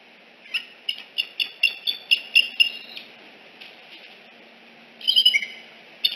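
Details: Eagle at Decorah nest N1 on a September 2018 morning as a visiting fledged juvenile is escorted away; a series of about nine short, evenly spaced high chips, then a brief quavering chatter.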